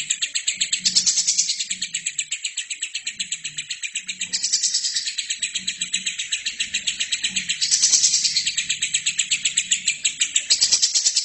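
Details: Lovebird in full continuous song, used as a training recording for other birds: a dense, high, scratchy chatter of rapid pulses about three per second, swelling louder around the fourth and eighth seconds, with a faint low hum beneath.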